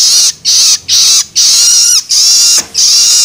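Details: Long-tailed shrike chick making loloan begging sounds, used to stimulate adults: five or so long, scratchy, buzzy calls with faint falling tones inside, delivered in a steady series.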